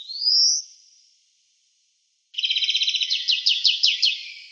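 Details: European greenfinch singing in the town of Wittlich, 2018: a rising wheezy drawn note, a pause, then a rapid buzzy trill that breaks into quicker looping twitters, about three per second.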